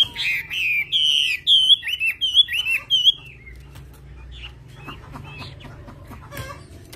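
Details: Chinese hwamei from the mountain forests of Vietnam's Central Highlands delivers a run of bright, looping whistled notes, each bending up then down, for about three seconds before fading to soft, scattered chirps.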